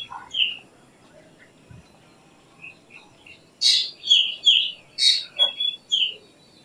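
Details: Faint whistles at first, then a black drongo bursts into a tight series of harsh, rasping notes mixed with short downslurred whistles.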